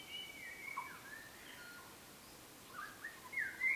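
White-rumped shama song: clear, slurred whistled phrases rising and falling in mid-high pitch, coming in short bursts over a steady background hiss.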